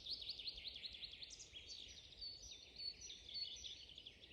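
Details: Spring forest birdsong, many birds at once: quick, high twittering phrases and sharp chirps overlap continuously, some notes sliding up and down, with a faint low rumble of background noise underneath.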